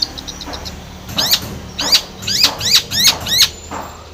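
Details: Long-tailed shrike in lively singing, used to provoke a shrike that has stopped singing: quick soft ticks, then a series of five or six grating, scratchy notes with descending overtones, roughly every half second.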